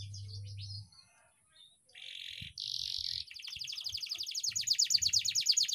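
A canary sings high, buzzy, rasping phrases, then a run of rapid repeated notes that speeds up into a rolling trill; a low hum opens the recording.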